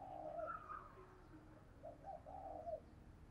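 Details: Captive decoy spotted dove in a lively provoking call used to draw wild doves: quiet, throaty coos, a higher slurred note first, then a cluster of rounded coos near the end, with a constant low hum.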